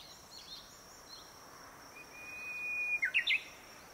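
A Japanese bush warbler sings a long, steady whistle, then three quick, clipped notes. A thin, steady high hiss runs throughout.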